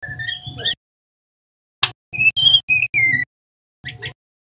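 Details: White-rumped shama, a juvenile male learning to sing, gives sparse thin whistled notes, some steady, some falling, with a sharp click and brief double chirps between silences, over a faint steady hum.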